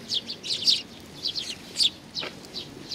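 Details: Sparrows arriving for food at Tenmangu, Nakanoshima, 7 June 2020, give a few clustered high chirps, then scattered single tweets, with one descending note near the two-second mark.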